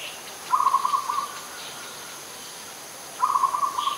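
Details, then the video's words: Adult zebra dove in Ubon Ratchathani, Thailand, 21 September 2022, giving two bursts of fast, stuttering cooing notes about two and a half seconds apart, each under a second long, with a faint constant high hum behind. "นกเขาชวา (Zebra Dove)"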